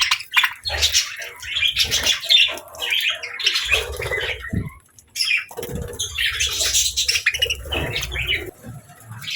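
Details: Budgies sharing a space with lovebirds, eating and playing together, give busy bursts of chattering chirps and short squeaky notes. Low rustling and thumps sound in between.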